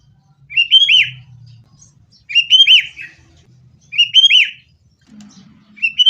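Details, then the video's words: Sooty-headed bulbul song, a lure for getting caged birds to sing: three loud bubbly whistled phrases, each about half a second, repeated roughly every one and a half seconds, with faint low noise beneath. "kutilang gacor TARUNG buat pancingan kutilang agar bunyi jadikan burung kutilang gacor"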